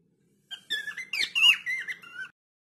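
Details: Indoor cockatiel song, a single two-second phrase of squeaky, warbled whistles that swoop up and down, with one brighter, louder note near the middle.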